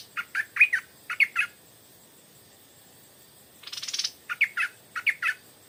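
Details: Stripe-throated bulbul decoy at 4 pm in the evening, luring wild birds: two clusters of rich, gurgling chirps, a gap, a short dry rattling buzz, then further clipped bubbly notes.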